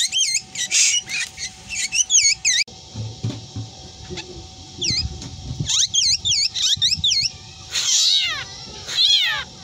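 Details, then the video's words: Black drongo giving repeated high whistled notes that dip and rise in a V shape, in quick series, with a harsh rasp and a falling meow-like cry toward the end. "Burung Sri Gunting Yang Doyan Ngomong Meong Dan Teriakan Anehnya"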